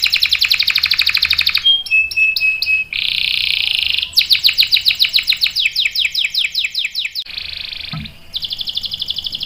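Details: Canary in full song with long rolls, used as a lure and tutor for young canaries: fast high buzzy trill, then a thin whistled note, a dense rolling burst, a run of rapid downslurred chirps and another buzzy roll.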